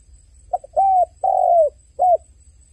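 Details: Soft cooing of a crying dove: a quick introductory note, a long coo, a longer slightly falling coo, and a short final coo.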